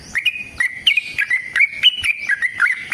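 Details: Sooty-headed bulbul delivering its long fighting song, meant to provoke other bulbuls; clear level whistles broken by sharp clicky upward flicks, a brisk even pattern through the whole stretch.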